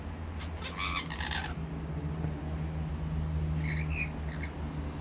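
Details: Rainbow lorikeets enjoying nectar mix give a cluster of harsh, buzzy screeches early on, then fainter scratchy chatter later, over a constant low background drone.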